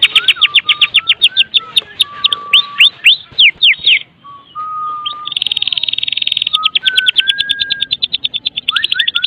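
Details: Kretekan singing of a Medan white-rumped shama, meant as a lure to get other shamas singing: fast rattling trains over a low steady whistle, a brief pause, then a dense buzzy rattle and descending slurred whistles.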